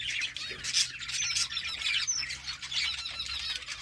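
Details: A budgerigar colony chattering: dense, high-pitched warbles and sharp squeaks from several birds overlapping, with quick wavering trills and brief louder bursts over a faint low hum.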